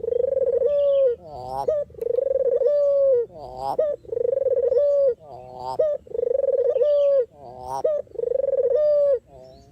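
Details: Long steady series of dove coos for luring birds into a trap: about six phrases, roughly every 1.7 seconds, each a vibrating roll ending in a level tone, with a rising accent note between.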